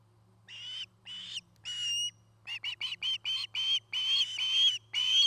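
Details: Camera at an osprey nest in Charlo, Montana, 8 September 2018: three drawn-out whistles, then a quickening run of short, high chirps building to longer, louder rising whistles, with a low hum throughout.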